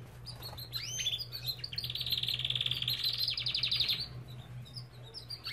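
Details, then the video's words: Aviary Belgian canary song: a few quick upsweeping notes lead into a long, loud, buzzy rolling trill that rises and swells, then fades into softer chirps, with a faint low hum underneath. "Lindos cantos de canários!"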